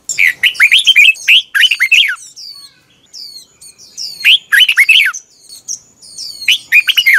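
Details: Red-whiskered bulbul giving its morning song as a lure voice for bird training, 2021: four energetic bursts of fast, lilting whistles, with thin high chirps from other birds filling the gaps.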